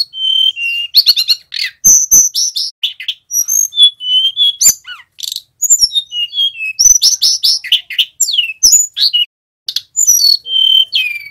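A young male Sunda robin practises a rambling song of high, thin whistles, rapid chattering trills and sharp clicks, with short pauses between phrases.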